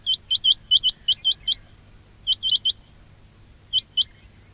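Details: Quail calls for trapping playback. A fast string of about eight sharp, rising whistles is followed by a quick group of four, then a final pair, over a low hum.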